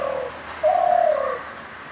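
Spotted dove giving soft, low, hollow coos, one brief note then a longer drawn-out coo, with faint background hiss.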